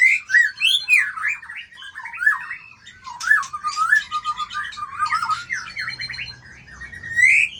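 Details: Loud, rich song from a white-rumped shama at a singing contest: continuous slurred, swooping whistles mixed with scratchy chatter and a bright upward whistle to finish.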